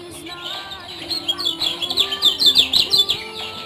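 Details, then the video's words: Lombok's Lemon-bellied white-eye in Indonesia gives a quickening, louder string of high, thin, slurred chirps over a soft low drone. "Ciak - Ciak Josss Gandos Kecial Kuning Lombok"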